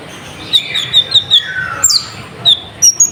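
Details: Lively sunbird song played as a lure to rouse other birds: a run of piercing short whistles, then a lower drawn-out note and a sharp descending slur, followed by more bright isolated whistles.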